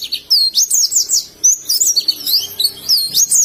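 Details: Indonesian oriental white-eye, known locally as pleci, giving ngalas-style song: rapid chains of very high, sharp whistled slurs and chirps, tumbling up and down in dense bursts separated by short pauses.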